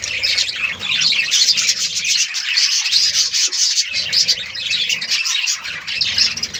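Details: Budgerigars kept in a colony for breeding fill the air with busy, overlapping warbles and sharp chirps in an unbroken stream.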